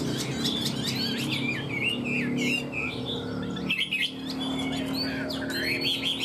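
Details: Chinese hwamei sold as a cage bird with a fanned tail and good voice. It sings a dense jumble of high warbled and whistled notes over a steady low musical hum.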